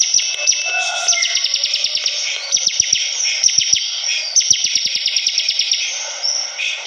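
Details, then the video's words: Bar-winged prinia singing energetically, a fast rattling series of high descending strokes in long runs, preceded by lower warbled whistles, with a continuous high hiss behind. "Suara burung ciblek kristal || prenjak gacor"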